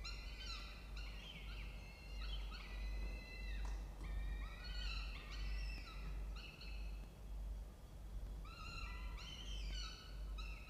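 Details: Peregrine falcons in a nest box inside a water tower at Charles Sturt University, Orange, New South Wales, Australia, 16 October 2024, 07:21. Repeated bursts of loud, harmonic, wailing calls with rising and falling slides, over a low constant drone.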